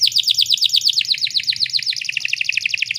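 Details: Female canary in breeding condition, a lure meant to set male canaries singing; a short, steady, very fast trill of high downslurred notes repeated without pause over a faint low hum.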